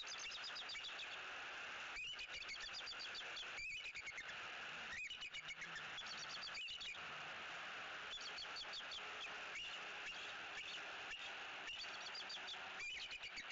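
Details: Bald eagle pair calling repeatedly in their Southwest Florida nest tree early on an October 2018 morning while a sub-adult visitor perches there, captured by a nest cam. Bursts of sharp, stacked chirping notes with steady hissing background noise.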